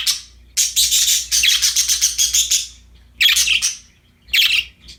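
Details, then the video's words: Budgerigars, happy and playing with a new toy, pour out a rapid run of scratchy chirps for two seconds, then two short squawky bursts after a pause, over a quiet hum. "Happy budgies chirping for lonely birds, singing, playing with a new toy"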